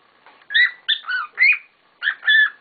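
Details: Several pet cockatiels kicking up a storm: whistled chirping calls in clustered bursts of two to three notes, rising and falling, with short gaps between bursts.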